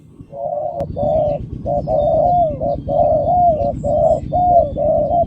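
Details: Spotted dove giving a run of long, closely packed coos with slurred, wavering notes and almost no pauses. A click sounds near the start, and faint high chirps are heard in the background.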